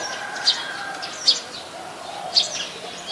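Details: Brown-throated sunbird calling in Ubon Ratchathani, Thailand, on 13 January 2021, Nikon P1000 recording: three clipped, high-pitched chip notes spaced about a second apart, faint lower whistles and rural background hiss behind.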